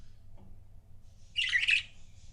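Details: Paired pet budgerigars: one brief, dense burst of scratchy chattering chirps in the middle, with quiet room hum before and after.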